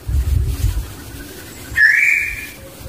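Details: Barbet, called burung takur locally, in the wild with its young: after low rumbling, one loud whistled note rises sharply and then fades slowly over nearly a second.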